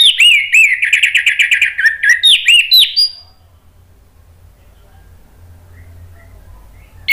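An orange-headed thrush sings a rich, fast, mid-to-high warbled phrase with quick rising and falling notes for about three seconds, then low hum and near silence follow.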